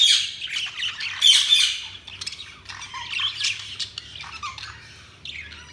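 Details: Budgerigars chirping with loud, scratchy warbling at the start, then softer chattering and squeaks that fade, before a final short burst of chirps.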